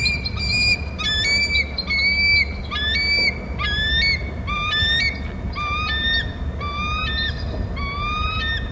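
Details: Bald eagles on Hornby Island, picked up by a nest and territory camera, calling back and forth between nest and territory: a long run of high, whistled, slightly rising piping notes, about one a second, over steady low hum.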